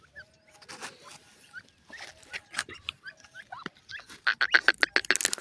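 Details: Grey francolin, locally called teetar, calling: scattered sharp notes and clicks give way to a loud, quickening run of ringing repeated notes near the end, with other chirps mixed in.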